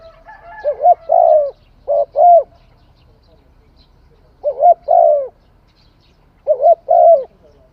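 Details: Spotted dove song, three cooing phrases about two to three seconds apart, each a quick double hoot followed by a longer, fuller coo, clear against a quiet background.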